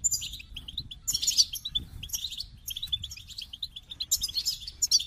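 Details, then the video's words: Goldfinch song: fast, tinkling twitter of high, bright notes in bursts with brief pauses, some notes squeaky and sharp, over a quiet low background rumble. "The Captivating Call of Goldfinches"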